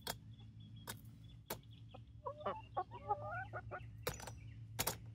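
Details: Young chickens, three Barred Rocks and four Gold Stars at 19 weeks, near Iola in Grimes County, Texas: clicks and taps, then a burst of short squeaky rising and falling notes midway, over low hum.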